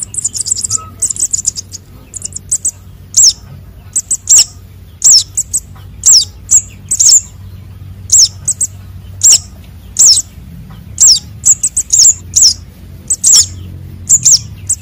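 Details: Young konin and sogon sunbirds calling, a recording used to lure birds: sharp, very high downslurred chirps in short clusters of two or three, spaced irregularly across a quiet background.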